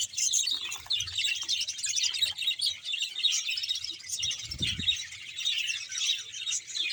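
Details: About 100 pairs of budgerigars chatter together in a colony in Bahawalpur. Many overlapping high twittering chirps form a constant busy wash, with a brief low thump near the fifth second.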